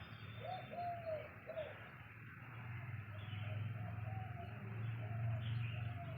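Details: A dove calls outdoors near trees and a road with soft, low hooting coos in short phrases; the first two are clear and later ones fainter. A steady low rumble runs underneath while a pet cat sits listening, unable to catch it.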